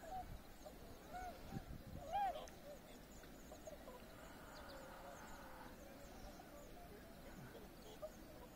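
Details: A wintering tundra swan flock on the Abukuma River floodplain in January 2021 gives soft, hooting bugled notes, some rising and falling, over a low rumble of water and wind; many ducks murmur nearby.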